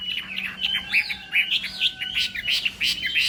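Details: Chinese hwamei singing in the morning, trained for contests: short bubbly whistles and sharp chirps in quick succession, with a faint low hum in the background.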